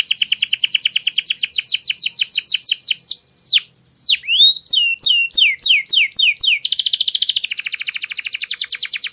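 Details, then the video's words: Clear-voiced canary singing for tutoring young birds: quick descending trill notes give way to long swooping whistles and a series of separate sharp slurs, ending in a fast, buzzing, tightly packed roll. "MASTERAN KENARI SUARA PALING JERNI"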